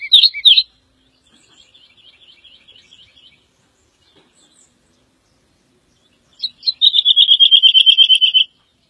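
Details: Woodlark (Lullula arborea) song: a sharp opening burst, then a faint soft run of repeated notes, and finally a loud liquid trill of rapidly repeated notes gently falling in pitch, about fifteen notes in under two seconds, over a quiet background.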